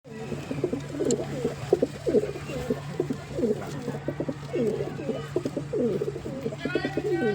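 Several pigeons coo continuously in low, throaty, overlapping rolls, with a steady low hum underneath and a brief higher chirp near the end.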